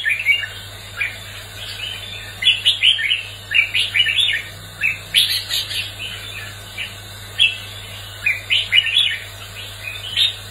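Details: Sustained competitive singing by a red-whiskered bulbul: a lively, continuous stream of sharp, whistled chirps and slurred notes in quick clusters for about ten seconds, over a constant low hum.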